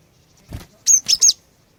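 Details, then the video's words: Female cinereous tit uttering three rapid, piercing, high chirps, a call meant to make males start singing, after a soft rustle. "Kicauan Glatik Betina Pikat Gacor, Cepat Bikin Glatik Jantan Ikut Bunyi Gacor"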